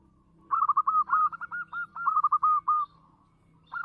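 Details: Strong-voiced local zebra dove delivers a long, steady run of bouncing, clipped coos, about a dozen notes in under three seconds, then starts another phrase. A quiet low hum stays underneath.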